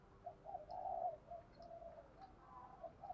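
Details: Spotted dove in the Thổ Gù voice style, used to draw wild spotted doves in quickly. Soft, low, hoarse coo notes come in a broken run: short notes, then one longer drawn-out coo, then quieter coos trailing off over a faint hiss.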